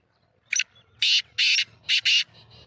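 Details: Black francolin (kala teetar) of the Sheedi line, from Sindh and Punjab, calling in a harsh, grating phrase: a short opening note, then four loud rasping bursts about half a second apart, ending in soft notes.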